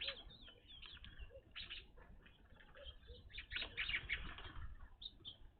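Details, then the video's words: A flock of evening grosbeaks at a feeder where none had appeared before: steady scattered chirps and short clear notes, a louder cluster near the middle, low thumping noise beneath. "Evening Grosbeaks at bird feeder"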